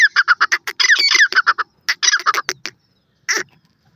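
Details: Partridge giving a loud, rapid series of harsh, clipped notes, roughly fourteen in the first 1.7 seconds, then a second cluster of squawky notes, a pause, and one last rasping note.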